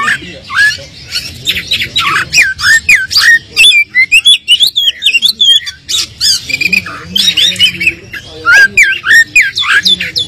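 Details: An Oriental magpie-robin sings a fast, varied run of bright whistles, slurred rising and falling notes and harsh squawky chatters, almost without pause; the recording is used as a lure to stir up unmotivated magpie-robins into answering.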